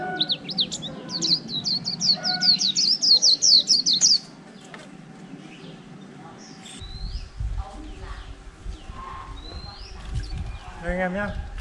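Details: Caged white-eye, wild-caught and kept in a cage for over a month, singing a líu-style song: a rapid run of high, bright, repeated chirping notes for four seconds, then faint scattered calls and low background hum.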